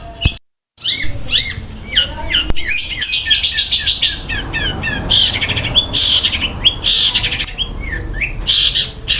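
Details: Long-tailed shrike in full rich song, mixing rough fill-ins with quick rolled phrases: varied looping whistles and chirps tumble rapidly, then dense harsh bursts repeat near the end.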